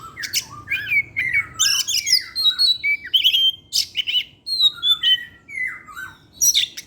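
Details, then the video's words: Oriental magpie-robin (kacer) in full evening song used as a lure: dense, rapid sequences of sweet slurred whistles alternating with scratchy buzzy notes, continuous and richly varied. "pancingan suara kacer , Opus setiap sore ngeplay dan keluar materi"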